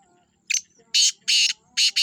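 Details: Black francolin (Francolinus francolinus) gives its harsh, grating call: a short opening note followed by three loud, rasping notes in quick succession, all within two seconds.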